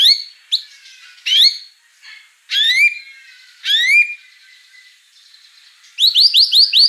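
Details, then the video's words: White-rumped shama singing gacor with loud upward-swept whistles and harsh notes separated by short pauses, ending in a quick series of five rising chirps. "Suara kicau burung murai batu gacor"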